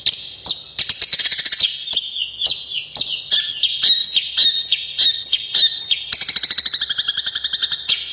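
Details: Long-tailed shrike in full, energetic song, used as a lure and as therapy for silent or stressed shrikes: fast rattling trills, looping whistled phrases repeated about twice a second, and harsh buzzy chatter, high and continuous.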